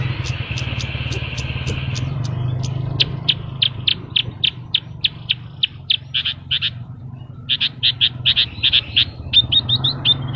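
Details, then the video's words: Horsfield's bush lark singing hard in gacor style, full of isian phrases: a long series of crisp, evenly spaced high chips that speed up and become doubled, with a brief pause, over a steady low mechanical hum. "BURUNG BRANJANGN GACOR FUL ISIAN"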